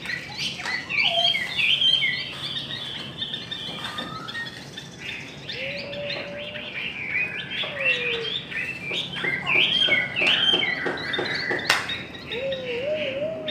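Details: Chinese hwamei in a singing contest, pouring out a rich, rapid song of sweeping whistles, warbled runs and clipped chips, with occasional lower wavering whistles and overlapping voices suggesting more than one singer.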